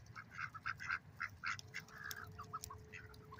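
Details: Lake ducks make loud, rapid nasal quacks, about two each second, in an uneven run of short harsh notes. A steady faint hum runs underneath.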